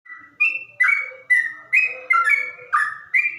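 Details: Yellow-vented Bulbul singing in the ropel style, slow and deep in tone: liquid, bubbly whistled phrases of two or three slurred notes, repeated about every half second without pause, on a quiet background.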